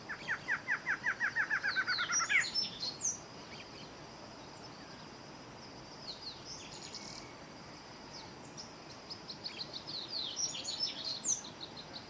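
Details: Male Barred Antshrike singing: a rapid series of about fifteen nasal notes that speed up and climb slightly over two seconds, ending in an abrupt emphatic note, followed by scattered high thin chips from other birds.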